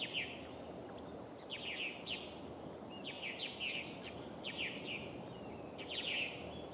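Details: At Steigerwald Lake National Wildlife Refuge in Washington, USA, on 24 July 2011, purple martins by an osprey nest give repeated clusters of rapid chirping, warbling notes every second or so over a steady background hiss.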